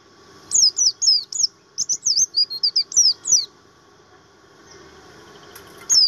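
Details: High, rapid chatter of a Javan grey-throated white-eye, buxtoni type, in material-song style: about a dozen quick, sweet slurred whistles in a burst, then near-quiet before one last note.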